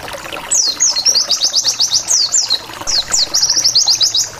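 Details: Lure song of a wild white-eye, continuous 'nembak wit wit wit' style said to make rival white-eyes angry and respond: two bursts, each opening with a falling whistle and running into rapid, evenly spaced high chirps.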